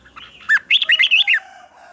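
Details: Red-whiskered bulbul, a caged bird in morning song training: one short phrase of five or six loud, clear warbled notes sliding and arching, voiced during about one second.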